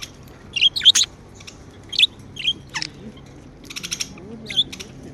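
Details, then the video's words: Happy pet budgerigars chirping at home: sharp, scattered high chirps and quick downward-swept notes, with a short burst of rapid buzzy ticking, over a faint low hum. "Happy Budgie Sounds | Chirping sounds | parakeets sound | budgie sounds"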